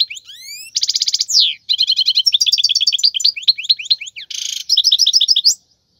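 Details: Wild European goldfinch song of the khalwi style, used for teaching young birds to sing: rapid liquid twittering with upslurred whistles, dense buzzy trills and clipped repeated notes, all high-pitched and continuous for about five seconds.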